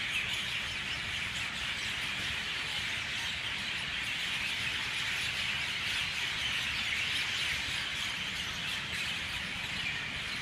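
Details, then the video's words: Mynah birds in full dawn chorus outdoors, countless overlapping shrill chirps, squeals and squawks forming a constant high-pitched roar that holds steady for the whole stretch. "Dawn chorus of Mynah birds"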